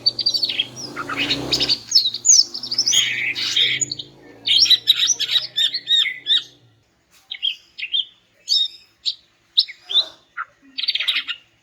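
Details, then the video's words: Female greater green leafbird, presented as calling to make silent males sing, gives a dense stream of high chirps and twittering notes, then spaced short bursts, over a low steady hum in the first half. "BURUNG CUCAK IJO JANTAN MACET BAKAL NYAUT GACOR DENGAR INI"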